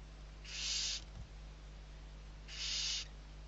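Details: Barn owl owlets, a brood of six being fed, Riet Vell reserve, Ebro delta, Spain, 21 November 2023; two loud, airy hisses about two seconds apart, with a brief thump between them.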